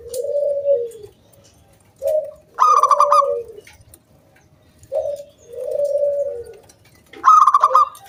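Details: Local zebra dove singing energetically to lure other doves into song. Mellow coos in pairs lead each time into a loud stuttering burst of pulsed notes, the phrase heard twice.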